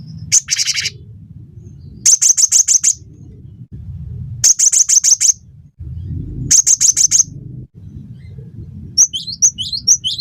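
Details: Gelatik batu, or cinereous tit, calling vigorously in a recording meant to train songbirds: quick rattling bursts of high, dry ticks in groups of about six, then brief high two-note phrases at the end, with constant low droning hum.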